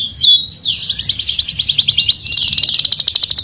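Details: Canary singing in 'ngerol nembak' style: a rising whistle, then a sustained high buzzy roll of rapidly repeated notes, ending in a fast, even trill, with faint low background noise.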